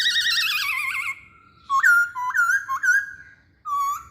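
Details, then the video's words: Masked laughingthrush singing vigorously, a lure recording: a loud trilling, wavering whistle, then after a short gap three upturned whistled notes in quick succession and one final level whistle. "Burung Poksay Hongkong Gacor"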